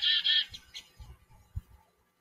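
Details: Chickadee singing in a backyard gives two harsh, buzzy notes back to back, then two fainter rasping notes, over a soft low rumble.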